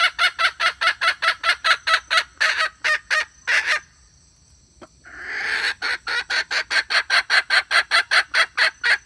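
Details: Calling hen used as a lure for trapping. Rapid rhythmic run of harsh, buzzy notes, roughly two per second, a brief quiet gap, then the same steady pulsing cackle resumes.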